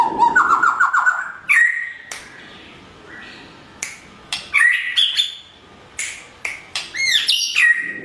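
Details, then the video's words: Morning song of a Blorok white-rumped shama, a lure for training other birds to answer: opens with a fast rattling trill, then varied whistled phrases broken by sharp clicks and short pauses, ending in looping rising and falling notes. "Murai Batu Blorok_ Suara Masteran Di Pagi Hari_Pasti Nyaut.!!"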